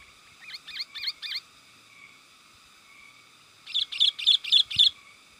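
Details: Sooty-headed bulbul lure call used to attract wild birds: four soft paired chirps, a pause, then five loud rapid bubbly notes in an even series.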